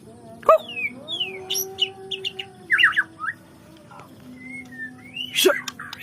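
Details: White-rumped shama, sung to push other shamas into their learned repertoire: scattered whistles, slurred notes and short chirps separated by gaps, with a few loud sharp snaps and a steady low hum underneath.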